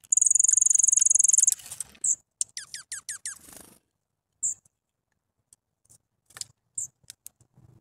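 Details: Grey-headed junco: a loud, rapid high trill lasting about a second and a half, then a few quick downslurred chip notes and sparse short calls with quiet gaps between.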